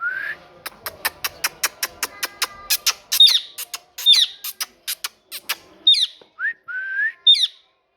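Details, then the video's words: Pet parrot produces a rapid series of regular, sharp clicks, then sharp high chirps and short rising whistles. "Parrot Talking"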